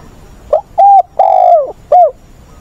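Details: Captive decoy spotted dove giving the tense wild-caught-bird voice (giọng bổi ức chế) used to train newly caught birds, dated 20/8: one four-part coo, a brief note, two level coos, a long falling coo and a short final note.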